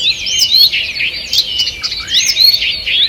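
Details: A short burst of forest birdsong at morning, 2 June 2023, loud and close: rapid high twitters and clear looping whistles from several birds pour out without a break.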